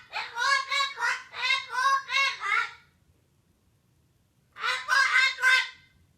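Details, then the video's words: Parrot in a rage: harsh, nasal screams in a quick run of five rising-falling bursts, a pause of almost two seconds, then three more loud bursts; no other sounds. "Parrot rage mode activated!"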